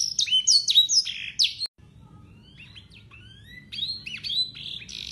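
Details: Local Yorkshire canary with blackthroat and sanger song for tutoring young canaries: a loud run of quick repeated high notes, a brief break, then softer thin whistles building back into faster, brighter phrases.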